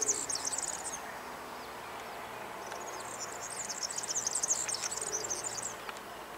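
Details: A European serin delivers a short, high, glittering trill, pauses briefly, then gives a longer, dense, buzzy jingle of rapid chirping notes over soft background hiss.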